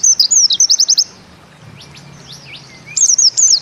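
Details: Bustomi-type white-eye (pleci) singing in the 'nembak ziperrr' style: a second of twisting high whistles and quick notes, a near-silent stretch with faint thin calls, then another burst of sweeping, zigzag whistles.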